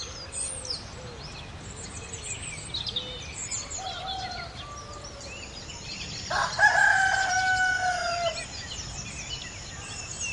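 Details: A rooster (adult male chicken) in a forest setting gives one drawn-out, harsh crow lasting about two seconds, while assorted small birds chirp and twitter throughout.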